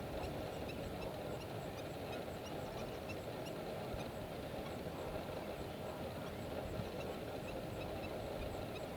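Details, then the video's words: A large flock of lesser flamingos at Thol Lake makes a steady, dense murmur of low honking and gabbling calls that blend into one continuous roar. "LESSER FLAMINGO BIRD"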